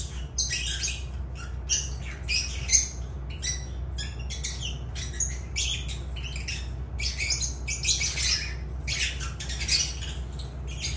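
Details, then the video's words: Lovebirds of the genus Agapornis chattering in rapid, sharp, high squeaky notes, a near-constant stream of short bursts from a group, over a low steady hum. "Agapornis love birds sounds"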